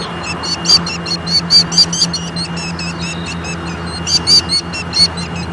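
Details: An agitated Killdeer at Leach Park in Bettendorf, Iowa, on 25 June 2014, gives shrill, high, rapid notes in quick bursts, more than a dozen in five seconds, over a low steady engine-like hum.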